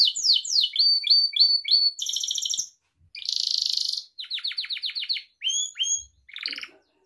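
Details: Gloster canary singing, recorded for training pet canaries: rapid repeated tours of chirpy notes, a buzzy trill, then fast descending whistled sweeps and rising slurs, all high and clear with brief pauses.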